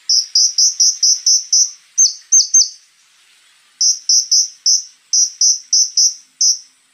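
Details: Konin in full 'tembakan kasar' song: rapid runs of sharp, high, clipped notes, a few with a downward twist, broken by a one-second pause, then further quick strings of piercing notes.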